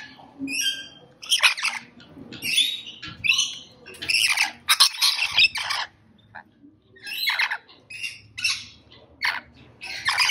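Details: Rainbow lorikeet (Trichoglossus moluccanus), a parrot of Australia's eastern coast, giving loud, harsh, grating screeches in irregular clusters of two to four notes, with short quiet gaps between bursts and faint low rumble underneath.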